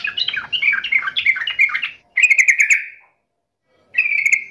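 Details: Yellow-vented bulbul taunting a rival: a fast gurgling warble, then a rapid trill of clear notes, silence, and one more brisk trilled phrase.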